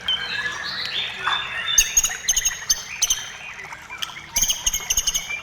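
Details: White-rumped shama singing vigorously, used to prompt other shamas to sing: rapid high chirps and sharp clicks in dense bursts with thin whistled notes, loudest in the second half, busy and varied throughout.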